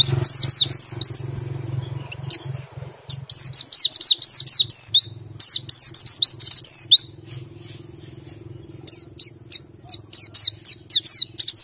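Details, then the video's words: Low-condition white-eye singing repeated high falling whistles in irregular bursts, with short gaps, over a steady low background hum. "BUNYI PLECI KURANG BIRAHI atau KURANG KENCENG"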